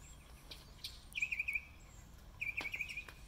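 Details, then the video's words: Mockingbird singing in spring, March 26, 2020: two bright, rapid trilled phrases, each about half a second long, repeated after a short pause against quiet outdoor background noise. "Mockingbird 1 minute repetoire"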